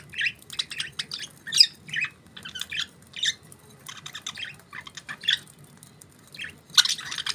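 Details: Budgies giving a steady stream of harsh, buzzy chirps and short squawks, each burst lasting under a second, coming in uneven clusters with small gaps between them.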